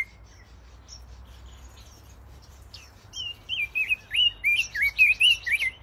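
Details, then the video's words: Pekin robins (red-billed leiothrix) in an aviary: a rapid, fluty warbling phrase of rising and falling notes, about four per second, after a quiet start with faint low hum. "Bird Sounds and Bird Song from the Pekin Robins"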